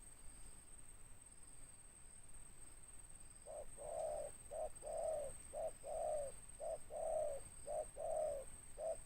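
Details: Spotted dove, local tekukur described as big-voiced and raspy ('ngeruk') with 'tindan' notes: a fainter run of short-long coos starting midway, repeated about once a second above a hissy background and high whine.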